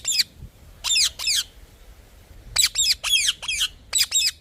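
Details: Harsh grating parrot calls, first a few spaced pairs, then a denser burst of four or five rough squawks close together.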